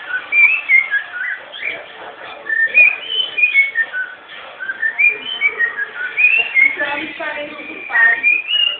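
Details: Captive-bred cockatiel kept as a pet, giving a long whistled song of quick sliding notes and short warbled phrases in bursts, pausing briefly midway.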